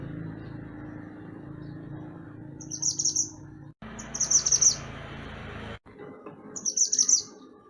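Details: Mantenan gunung, singing for songbird training: three short bursts of piercing, rapid, buzzy chirps about two seconds apart, over steady low background noise.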